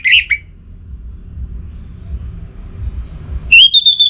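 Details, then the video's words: Orange-headed thrush in North Bali, Singaraja, in breeding condition and calling a rival. A short shrill whistled phrase is followed by a long quiet gap, then a high, steady, slightly wavering whistle near the end. "ANIS MERAH Gacor Pancingan Birahi & EMosi Burung || Kicau memanggil lawan"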